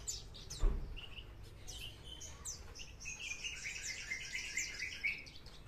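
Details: Branjangan bush lark, parva type, singing in trotol style: after a thump near the start, the song builds into fast, dense streams of high twittering chirps and slurred whistles. A low background rumble runs throughout.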